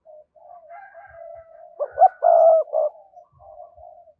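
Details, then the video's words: Spotted dove cooing as a lure for wild doves: one phrase of quick short notes, a long steady coo and a short final note, with faint drawn-out tones and low thumps around it. "cu gáy kích bổi hiệu quả/ giọng nhạy bổi nhất hiện nay"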